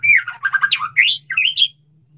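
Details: Male white-rumped shama singing to attract a female for mating, a quick tumble of buzzy, slurred notes rising to a high whistle, over a steady low hum.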